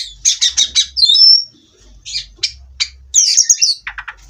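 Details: Oriental magpie-robin in captivity giving a quick run of four rattling chirps, then a thin high whistle, scattered sharp notes, a warbled phrase and a fast, soft ending trill.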